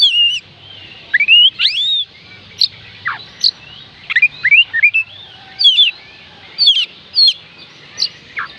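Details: Oriental magpie-robin song played to make reluctant birds sing: varied whistles, rising slurs and steep downward notes, with sharp high chips, delivered in quick phrases with short gaps.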